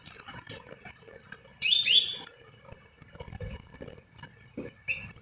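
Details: Greater green leafbird song used as a lure to stimulate other birds to sing: one loud, bright phrase of two quick sweeping, slurred whistled notes, surrounded by faint scattered clicks and low knocking noises.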